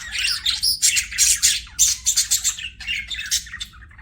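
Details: Pet budgerigars giving quick bursts of bright chirps and scratchy warbles in short pulsing phrases, about three bursts a second, fading slightly at the end.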